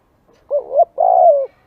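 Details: Spotted dove heard in a lure recording: one brief phrase of a wavering low coo followed by a longer, slightly rolling coo that drops in pitch at the end.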